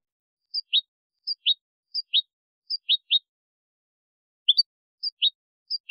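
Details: Copia tutoring recording of a European goldfinch used to teach young birds and hybrids: short two-note chirps, a high tick then a sharp downward note, repeated at a steady pace with one brief pause, no background noise.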